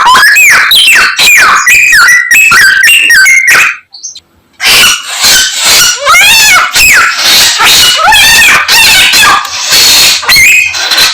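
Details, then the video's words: Chinese hwamei pouring out a song of copied bird calls; rapid repeated chirping phrases, a brief silence, then dense buzzy trills and looping whistled notes. "Samyong Gacor full isian Burung Sak Kebon Dadi siji"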